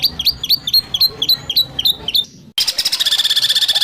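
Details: Training recording of White-rumped shama 'tembakan kasar' material for provoking birds to sing: quick repeated downslurred whistles several per second, a short silence, then a sudden, even, rapid high trill.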